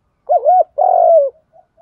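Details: Spotted dove, giọng đồng pha thúc gù song style used to make caged doves coo: a wavering two-part coo followed straight away by a long, buzzy, slowly falling note.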